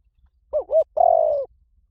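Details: Spotted dove calling, used for luring: a wavering double coo followed by a long, rough, slightly falling coo, low-pitched and clear against silence.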